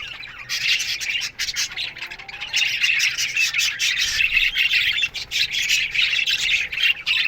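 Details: Australian budgies chirping together in an aviary colony in the morning, starting softer and rising into loud, dense, overlapping squeaks and buzzy warbles.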